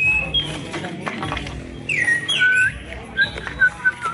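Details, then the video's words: Orange-headed thrush singing clear, varied whistled phrases, some slurred and falling, in short bursts over a low background hum. "anis kembang suara mantap"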